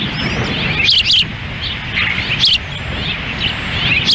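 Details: Osprey pair at a nest in Lolo, Montana, on a windy June 10, 2017, the female handling a difficult chick feeding; quick pairs of high, squealing whistles, then softer ones, over a constant wind rush.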